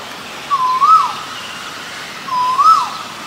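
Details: A male Asian koel gives two clear, upslurred whistled calls almost two seconds apart, each swelling then dipping at its close, in a quiet setting.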